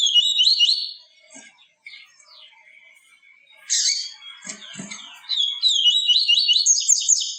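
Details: Yellow-bellied seedeater in tui tui viviti pure song, played to stimulate captive birds: bright, rapid whistled trills and chattering notes in loud bursts separated by quieter gaps of thin, scattered notes.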